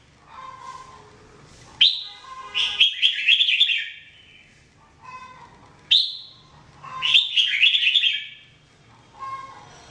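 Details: Caged red-whiskered bulbul singing: a soft low note, then a sharp falling whistle leading into a bubbling, chattering run of notes; the pattern repeats twice about four seconds apart.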